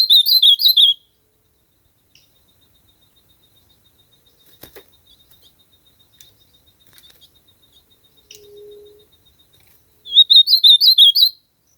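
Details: Ultramarine grosbeak delivering two warbled whistled phrases, one at the start and one near the end, separated by about nine seconds of near silence with clicks, faint ticking and a brief low hum.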